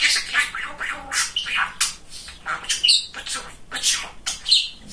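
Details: Indoor talking budgie, male, delivering quick raspy chatter with a few shrill squawk-like notes and thin whistles in a continuous run.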